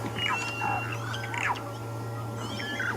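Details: Violet-backed starling (Cinnyricinclus leucogaster) nestlings begging for food after a parent's feeding visit: squeaky, down-slurred chitters in quick bursts, over a steady low engine hum during an African safari drive.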